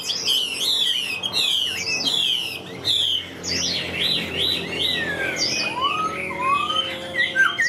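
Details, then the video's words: Caged Chinese hwamei, a large bird flicking wings and tail, singing as soon as hung out: a dense, loud run of varied high whistles and rapid slurred notes, then lower sweeping whistles rising in pitch near the end, in a small room. "Treo Ra Là Hót Như Máy"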